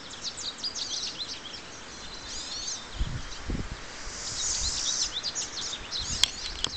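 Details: Pine siskin (Spinus pinus) calling: a high, rambling twitter of quick chips and trills with a drawn-out, wheezy buzz midway; a few low thumps and soft background noise.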